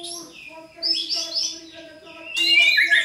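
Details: White-rumped shama song played to provoke a caged bird into answering; bursts of high chirps and whistles from about 0.8 to 1.6 seconds, then a louder rush of notes from 2.4 seconds, over steady low humming tones.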